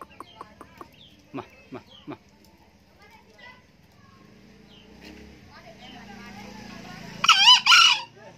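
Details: Old green junglefowl cock crowing diligently. Scattered clicks and taps come first over a low hum, then the bird delivers one brief, hoarse, two-part rasping crow near the end.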